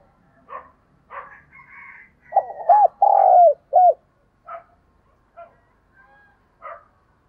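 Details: Single spotted dove decoy phrase of stuttered coos, a long grating note and a final curved hoot, surrounded by sparse higher chirps and calls from other birds.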